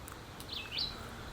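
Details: In summer at Island Lake Conservation Area, Ontario, on a trail, a Red-eyed Vireo gives one short, slurred song phrase: two quick high notes that rise and then drop, over a soft outdoor hiss.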